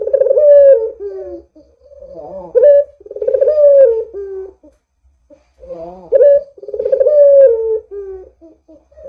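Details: Barbary dove calling vigorously, used as a lure to get other doves to call: repeated rolling coos, each a short rising note followed by a long wavering purr that slides downward, in phrases about three seconds apart.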